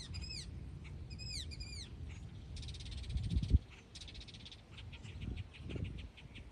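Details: A meadowlark in a field gives two quick phrases of clear, slurred whistles, then dry buzzy chatters, all fairly faint beneath a steady low rumble of wind.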